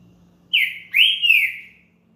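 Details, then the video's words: Green-winged saltator, a champion singer, whose song is played to warm up another saltator: a loud, clear whistled phrase of three sliding notes, the first falling, then a rising-falling pair, with a faint low hum beneath. "ESQUENTE SEU TRINCA FERRO RÁPIDO NO CANTO DE UM CAMPEÃO"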